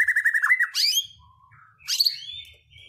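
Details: White-rumped shama song used as a lure to provoke other birds into singing their learned phrases: a rapid trill of repeated notes, then two high sweeping whistled flourishes separated by a short lull, with faint low hum underneath.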